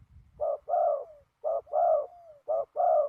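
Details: Ground decoy spotted dove during a trapping session in strong wind. Three loud paired coos, each a clipped note then a long falling purr trailing into a faint thin slide, spaced about a second apart.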